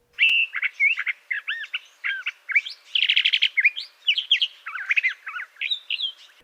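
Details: Curve-billed Thrasher singing in an Arizona desert backyard in spring: a rich, varied run of short warbled and whistled phrases, each a second or so, with tiny gaps between them.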